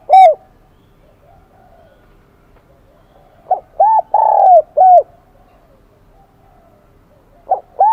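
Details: Wild-caught spotted dove singing in the 'kim đồng' style, a high bell-like voice: an opening coo, then a cluster of three ringing coos with one long one, silence, and two more coos at the end.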